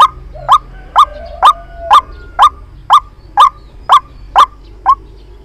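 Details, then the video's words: Lure call for trapping white-breasted waterhens, made of punchy upslurred notes repeated evenly about twice a second, with a faint drawn-out tone in the first two seconds. "Tiếng chim quốc Mồi chuẩn dùng để bẫy"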